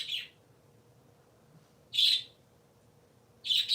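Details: Pet parakeets, three kept together, on a Sunday morning: three loud, sharp chirps spaced about one and a half to two seconds apart, each brief and high, over a soft room hum.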